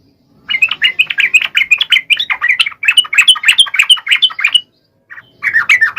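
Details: Yellow-vented bulbul in full 'gacor' song, used as a lure to stir lazy males into singing: a fast bubbly chatter of short, sharp notes, about three a second, that breaks off briefly and then resumes.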